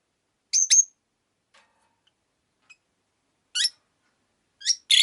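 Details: Five pet rosy-faced lovebirds in a cage by a window: scattered high, sharp chirps, a quick double note at the start, then single chirps with pauses of a second or more, faint ticks between.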